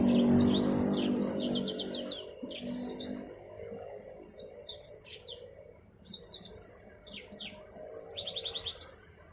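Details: Yellow-fronted canary, called Mozambique finch, singing: bursts of bright, high twittering trills in quick phrases separated by short pauses, with a low hum underneath at the start.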